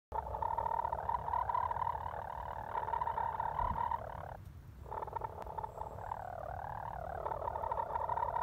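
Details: Chickens resting under a fig tree, a sound their keeper thinks means contentment: a continuous low purring trill, steady for several seconds, briefly pausing, then resuming with slight rising and falling waver.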